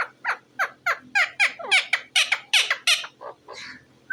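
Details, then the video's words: Talking parrot, possibly an Indian ringneck, giving a rapid run of harsh, downward-sweeping squawky notes, about three a second, loud and steady throughout, indoors. "talking parrot bird"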